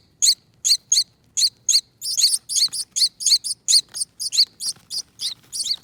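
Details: Two young finches saved from a front door wreath nest, fed by hand: evenly spaced shrill squeaks that quicken into a dense run of high chirps, with faint low handling noise beneath.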